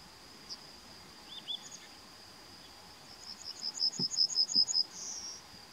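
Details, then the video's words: Yellowhammer singing in May 2020: a quick run of about eight short, high, evenly repeated notes over roughly a second, closed by a longer drawn-out note, above a steady high insect-like hiss and faint low rumble. "Citromsármány // Yellowhammer"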